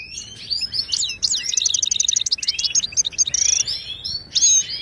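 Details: A Moroccan goldfinch sings, for teaching caged birds: sweet, tinkling chirps run into a quick rattling sequence, then a short buzzy trill and a final bright note.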